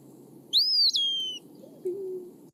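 An Eastern Wood-Pewee gives one clear, plaintive whistle that rises, then slurs downward, like a drawn-out 'pee-wee'. A low room hum runs underneath.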